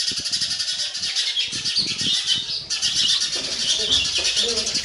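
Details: A parent sparrow feeds its baby birds, which keep up a continuous, shrill, buzzy chirping. Low thumps and rustles are heard early on.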